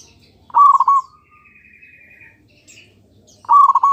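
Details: Local zebra dove song from Indonesia, played to draw answers from other doves: two quick rolling, stuttered coo bursts about three seconds apart, with a faint thin whistle from another bird in between.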